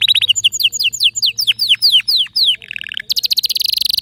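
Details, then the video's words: Canary delivering a lively song of distinctive notes: loud downward-slurred whistles repeated quickly, a brief buzzy section, then a very fast high rattling trill. "تغريد روووعة ونوطات مميزة canary"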